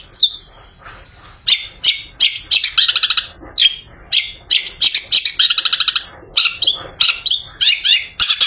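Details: Long-tailed shrike, freshly bathed, singing in the afternoon as a lure for other shrikes; a falling whistle, short pause, then bursts of fast buzzy trills and sharp chirps in quick succession.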